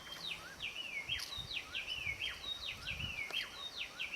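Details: Seriema foraging in the Pantanal, Brazil, at Pousada Piuval, giving loud, high yelping notes that swoop down and rise again, about one a second and often overlapping, over a faint low rumble.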